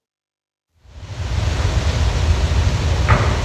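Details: Silence for almost a second, then a steady broadband rumbling hiss, strongest in the low range, with one short click near the end and no animal voices.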